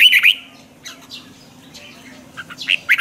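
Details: Red-whiskered bulbul (chào mào) in morning training song, a twisting-voice style used as a lure for training birds; one short warbled phrase opens and another closes, with a quiet gap between.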